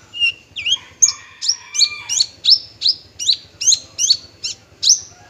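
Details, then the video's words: Male Horsfield's bushlark (parva) sings a series of bright, high, slurred notes repeated a little more than once per second after a few lower whistled opening notes. A faint low hum runs underneath. "branjangan parva"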